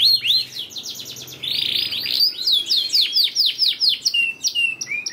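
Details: Lure recording of a canary to make reluctant birds sing: quick chirps give way to a buzzy rolling phrase, then a series of loud swooping whistles slowing toward the end, with a faint low hum at first.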